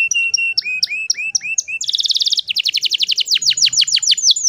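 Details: Female canary in breeding condition singing to lure and stir males into song: looped whistled upslurred notes, then a fast buzzy trill, then rapid descending sweeps repeated about six times a second; faint low room rumble beneath.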